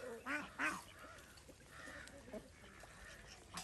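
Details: Village farm ducks in India swimming on a pond; two short, raspy quacks in quick succession at the start, then only quiet murmuring background noise.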